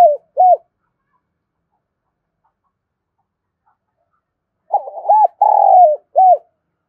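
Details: Spotted dove lure bird calling to attract and stimulate other doves; clear cooing phrase opens with two short arched coos, a long silence, then a burst of quick coos, a drawn-out trembling coo and a final short coo, no other sounds.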